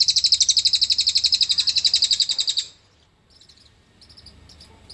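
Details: Song of a cililin, played as a fill-in song to draw out magpie robins: a high, rapid buzzing trill of about twenty even pulses, followed by faint scattered chips.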